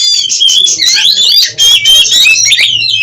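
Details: Continuous, dense song of a captive Oriental magpie-robin: intertwined shrill whistles, rapid trills and squeaky slurs pouring out almost without pause, with a brief dip at mid-clip and a low hum underneath.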